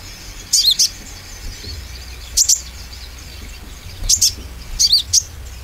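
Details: Oriental white-eye, konin, lure song to stimulate singing: short very high twittering bursts of two or three notes, repeated about every one and a half seconds over steady background hiss.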